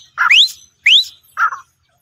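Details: Grey francolin calling close by: loud, harsh rising whistled notes, two sweeping upward then a shorter flat note, in a clear burst against silence.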